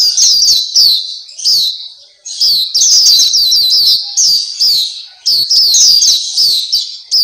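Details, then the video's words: Pleci Papua, the Black-capped white-eye, sings a bright, very high chatter of quick down-slurred whistles that run in dense phrases, with a short lull near the middle before the twittering resumes. "Terapi Masteran Pleci Black Capped/Pleci Papua"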